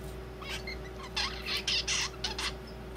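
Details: A young zebra finch practises its still awkward song: a run of short buzzy, noisy syllables in quick bursts, loosely spaced, like the bird is chatting, with a constant low hum underneath.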